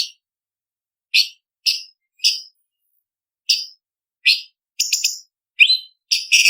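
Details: Blue-winged leafbird (cucak cungkok) recorded as contest-training song with isian variations. Sharp, high, clipped notes arrive singly about half a second to a second apart, then quicken into stuttering chips and a rising whistle near the end.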